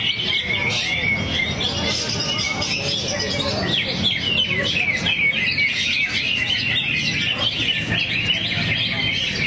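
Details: Greater green leafbird (cucak hijau), kept as a songbird, pouring out song material while in a relaxed swaying state: an unbroken, energetic run of high twitters, trills and downslurred whistles, with soft voices faintly behind.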